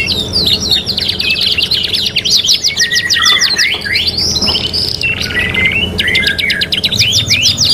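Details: Kenari gacor canary on a master training recording, singing a varied medley: fast chip trills, lower warbled slurs in the middle, a short pause, then renewed rapid rising notes.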